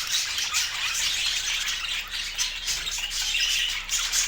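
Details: Unbroken scratchy twittering of many budgerigars, which are pet birds, with a few thin whistled notes rising out of the chatter in the second half.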